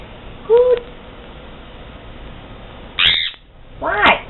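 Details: Pet brown-headed parrot indoors mimicking conure sounds: one short low hoot, then after a pause two harsh, loud, ragged squawks about a second apart.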